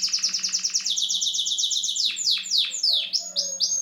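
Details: Song of a Syrian canary: a fast series of bright repeated high notes, then several loud downward-swooping whistles and short clear tones, over a faint steady low hum.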